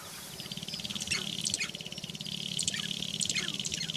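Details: Sharp-tailed grouse on a lek in Northern Wisconsin on April 29, 2021: a low, rapid drumming pulse runs beneath many sharp, high chirping and cackling notes repeated in quick bursts.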